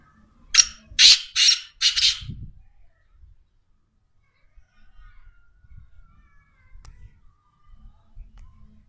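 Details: Black francolin, known locally as kala teetar: four loud, harsh, grating notes delivered in quick succession at the start, then near silence with faint low thumps.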